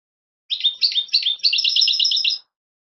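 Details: One two-second burst from European goldfinch fledglings: a few slurred chirps running into a fast, even chatter of bright twitters.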